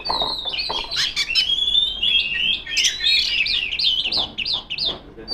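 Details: Oriental magpie-robin, a female, calling out rivals with a loud song; a long, rising whistled glide, then a quick series of zigzag whistled notes, with some clicks.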